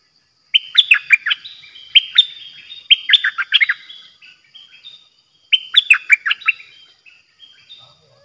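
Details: Streak-eared bulbul, a new decoy bird, singing on 06/05/2022: two bursts of bubbly, warbling notes sliding between high and mid pitch, each burst several quick phrases, separated by a short pause; background otherwise quiet.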